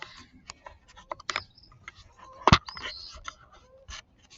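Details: Indoor scratching, rubbing and handling noises with a few sharp clicks, and no animal voice.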